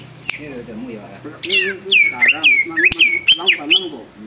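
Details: Vocal greater green leafbird whose song sets other leafbirds singing and agitated; a fast run of bright, sharply falling whistles, several per second, over a low warbling chatter.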